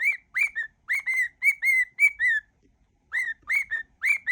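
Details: Cockatiel whistling a medley of familiar tunes; a rhythmic phrase of bright whistled notes, a brief pause, then the phrase starts again with rising whistles.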